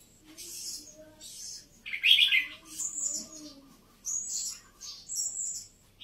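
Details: Red-whiskered bulbul, caged songbird of Vietnamese and Uttaradit lines, singing bright, high chirped and warbled phrases in short bursts separated by pauses, with a louder scratchy phrase near the middle and faint low background sounds.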